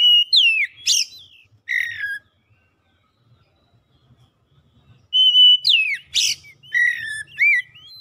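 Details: Oriental magpie-robin song, meant to push a silent, off-form bird into full song: two bursts of sweet whistled slurs mixed with harsh scratchy notes, split by about three seconds of quiet.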